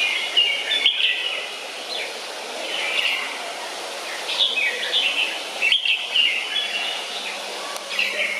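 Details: Red-whiskered bulbul (Pycnonotus jocosus) in a zoo giving bright, chattering chirps in quick bursts, several notes overlapping, against a steady hiss of outdoor background noise.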